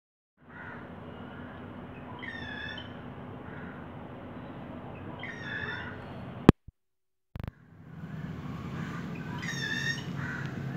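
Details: Small bird singing at midday from a mango tree branch, seen through a window and recorded on a mobile phone; short ringing harmonic bursts spaced a few seconds apart over a steady low hum, with a brief clatter midway.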